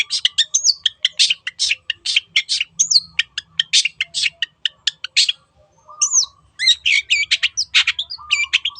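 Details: Cendet, the long-tailed shrike, singing 'teot teot' to draw song from other birds: rapid, rhythmic sharp notes for five seconds, a short silence, then mixed whistles and scratchy phrases.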